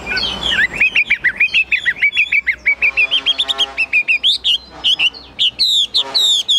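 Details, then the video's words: Caged Chinese hwamei singing strongly: a fast series of bright whistled notes, each with a hooked upward twist, about one per second, rising higher into sweeping loud phrases near the end over a faint hum. "Họa mi dáng ngũ trường, bóng bộ cực đẹp, hót cao cầu"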